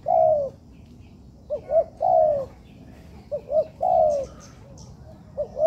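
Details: Spotted dove learner in a training yard repeats its phrase about every two seconds. Each phrase is a long, falling coo followed by two short, quick hoots, low and mellow, with little background noise.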